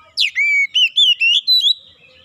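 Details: Oriental magpie-robin, recorded for stimulating a bird that has stopped singing: a sharp downward note followed by several long, pure, level whistles, each slightly higher, in a clear short phrase.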